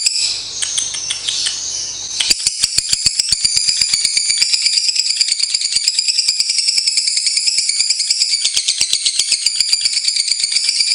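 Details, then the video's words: Lovebirds in a long tutor recording: a softer mixed chatter, then a sudden shift into a loud, fast, machine-like rattle of evenly spaced high pulses that carries on steadily. "Masteran Lovebirds Durasi Panjang | Kicau Burung"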